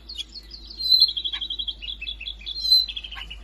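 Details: Siberian rubythroat singing in Jakarta, recorded on 5 March 2025 as a master song for songbirds: a run of rapid high notes near one pitch, with short trills and a few lower dips, faint low hum beneath.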